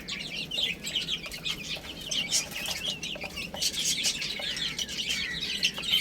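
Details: Several young chicks eating and playing, with bright high-pitched peeps in quick, irregular bursts over a steady crackle of pecking and rustling.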